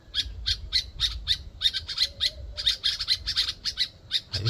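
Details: Two birds in Ghana calling relentlessly: harsh, squawky chirps repeated rapidly, about four per second, in an uneven stream. A man's voice starts briefly at the very end.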